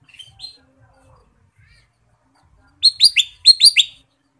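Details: Ruby-throated bulbul singing lively fill-in phrases: two soft rising notes, a quiet gap, then a fast burst of about six loud, crisp upslurred whistles.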